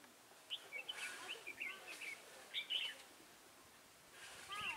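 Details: Red-whiskered bulbul used as a decoy, singing from a trap to lure rival birds, recorded 23 October 2017; quick whistled and warbled phrases, bright and slurred, come in bursts with short gaps, over a faint outdoor hiss.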